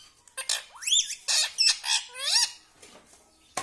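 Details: Pet parrot indoors, trained to say mummy, papa and radhe radhe; harsh, rasping squawky syllables with rising glides, delivered in a fast, uneven series before fading to room noise and a final click.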